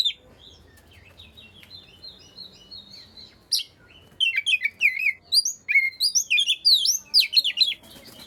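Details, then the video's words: Oriental magpie-robin singing, used to coax quiet magpie-robins into full song: soft, scattered whistled notes at first, then from midway a loud, fast series of sharp rising and falling whistles and chirps in close bursts. "burung Kacer yang males bunyi pasti ikut gacor 100%"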